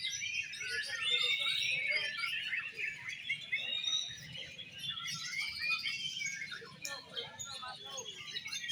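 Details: Oriental magpie-robin (kacer) singing in competition, an 'exotic' style performance: a dense, fast, unbroken stream of high twittering and buzzy warbled notes with a few brief pauses, over a faint low background rumble.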